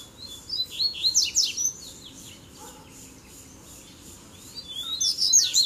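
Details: Dueling male Double-collared seedeaters, three arriving at once to fight. A dense burst of sharp high chips and slurred whistles opens the clip, then a quiet stretch, then a new rising phrase at the end.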